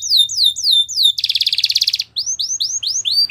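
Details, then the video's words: A Belgian canary sings falling whistled notes, then a fast pulsing buzzy trill, followed by a series of rising whistled slurs. "Belgian Canary Song That Fascinates Everyone!!"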